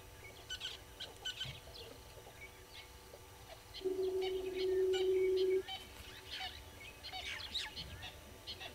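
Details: Red-billed hornbills below a waterhole camera at Gowrie dam, Djuma Game Reserve, Sabi Sand Wildtuin, South Africa, at 06:14 on 15 April 2022: a low, rapid clucking series of nearly two seconds amid scattered high chirps from other birds.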